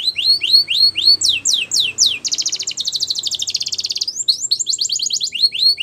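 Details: Singing male canary delivering arched, looping whistled notes in quick succession, then a long rattling buzzy trill, followed by more rapid rising and falling syllables.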